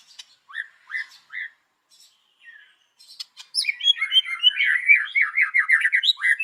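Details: Morning white-rumped shama song for luring birds: a few soft slurred notes with gaps, then a loud fast stream of chattering, warbled phrases.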